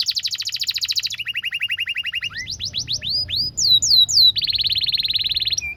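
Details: Canary singing to tutor young birds: a high fast trill shifting to a lower trill, slow curved whistles, then a steady rapid roll of repeated notes.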